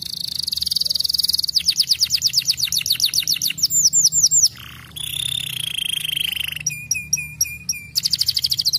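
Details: Canary song meant to get young canaries singing and rolling quickly: a fast buzzy trill, long runs of rapid falling sweeps, a short low buzz, a steady rolling trill, clipped metallic notes, then more quick sweeps.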